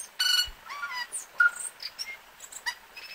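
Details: Tui song: a varied run of clear whistled notes, some rising and falling, mixed with short harsh clicks and buzzy high bursts, in quick irregular succession.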